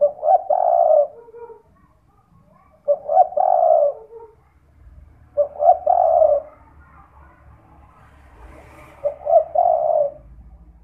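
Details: Lure call of a spotted dove for use at night to get other doves calling: four gruff, rolling coo phrases at irregular gaps of two to three seconds, each ending in a softer low note; slight background hiss.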